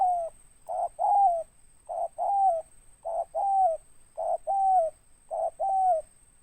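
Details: Spotted dove, a local tekukur with a big 'ngeruk' voice and 'tindan': crisp, evenly spaced coo phrases, each a short note then a longer one sliding down, about once a second, clean apart from a faint high hum.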